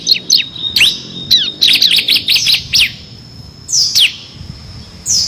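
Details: Bar-winged prinia in full 'ngebren' singing style, six variations, used as tutor song for competition birds: scattered high sharp chirps and quick downslurred notes, a brief clustered burst mid-clip, then two louder high slurred notes near the end.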